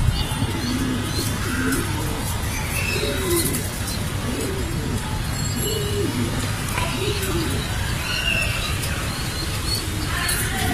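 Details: Afsan grizzle racing pigeons, with their young offered for sale, give soft low cooing in repeated rising-and-falling phrases over a steady low rumble of background noise, with a few faint higher chirps.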